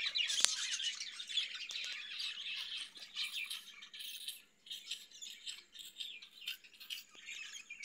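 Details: High squawky chatter from caged budgerigars, an uneven stream of harsh buzzy chirps and tweets running throughout, with a sharp click early on.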